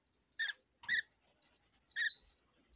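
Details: A female red lory chatters at bedtime, giving three short, harsh, squeaky notes, the last longer and ending in a thin whistle, in a quiet room.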